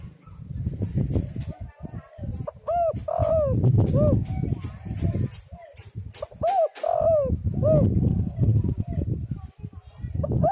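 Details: Spotted dove cooing, used as a lure recording to get other doves calling: arched, hollow coo notes in short phrases, mid-clip and near the end, over steady low rumbling background noise.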